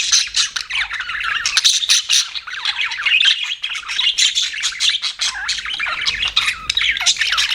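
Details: Pet budgerigars keep up a lively, overlapping chatter of rapid buzzy warbles, bright chirps and occasional harsh squawks, with almost no silence.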